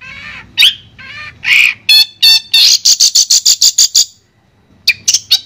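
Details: Varied master song of a Madura long-tailed shrike: mixed squawks and whistled notes, then a quick regular run of high sharp chirps, a short silence, and a few final chirps.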